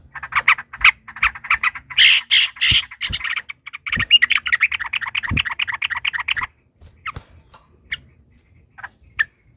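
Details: Fighting yellow-vented bulbuls with a long rolling 'ropel' song to make other bulbuls sing: a sustained fast chattering run lasting several seconds, then sparse single notes, with soft tapping in the background.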